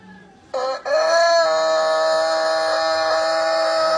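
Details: Rooster crowing one long, drawn-out crow after a brief clucking start, held steady and loud for over three seconds with rich harmonic tone.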